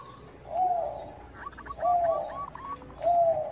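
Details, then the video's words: Bangkok-type zebra dove singing actively, used as a lure to make rival birds sing; three low, mellow coo phrases about a second apart, with faint higher staccato notes between them over a soft noisy background. "PANCINGAN PERKUTUT BANGKOK GACOR - SUPER AMPUH, BIKIN LAWAN PADA BUNYI."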